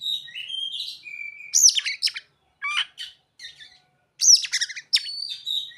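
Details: Oriental magpie-robin delivering song with imitated ciblek and sogon phrases, heard as rising whistles followed by clusters of sharp high chirps and scratchy notes with brief silences between bursts.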